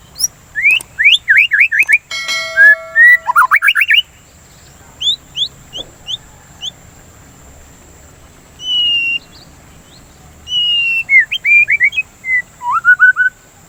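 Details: Murai batu, the white-rumped shama, singing as a lure to set kept birds singing: fast runs of sharp rising whistles, a buzzy rattling burst, then pauses and more varied whistled phrases ending in falling notes.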